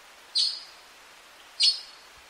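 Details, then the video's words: Two brief, harsh scraping notes from an azure-winged magpie, spaced just over a second apart against a quiet background. "Сорока лазоревая. Голоса птиц"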